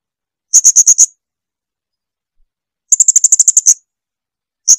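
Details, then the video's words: Blue-crowned hanging parrot clear song for training birds: a burst of five sharp, very high chips, a pause of nearly two seconds, then a longer rapid run of about ten. "Lagu jernih SUARA BURUNG SRINDIT"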